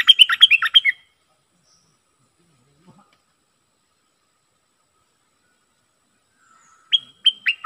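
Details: Decoy bulbul singing: a rapid burst of bright, slurred whistled notes, then a long silence, then another phrase opening with a short sustained whistle and falling chirps.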